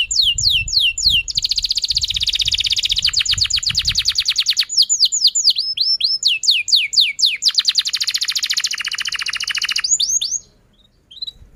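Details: Canary song used as a prompt for young or silent canaries: a fast trill of slurred notes, long rapid rattling trills broken by downswept whistles, and faint low thumps early on.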